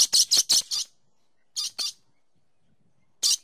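A dusky lory gives harsh, high screeches: a fast burst of five, then two more, then a single one after a pause.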